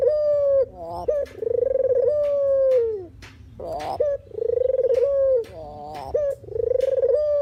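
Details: Dove called puter or deruk, sound used as trapping bait: three low coos, each a pulsed roll leading into a smooth tone. Quick higher notes separate the coos.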